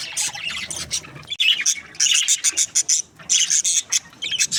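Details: Happy chirping from a breeding pair of budgies, pet parakeets: rapid high chattering and squeaky notes in clustered bursts, with a brief gap near the middle and short repeated chirps toward the end.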